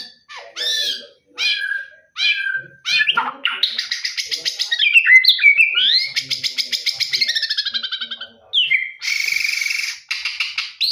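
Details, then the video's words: White-rumped shama singing in the morning: varied phrases of clear whistles and rich slurred notes, then a long rapid buzzy rattle of repeated notes, then bright high trills; no other clear sounds. "Murai berkicau di pagi hari"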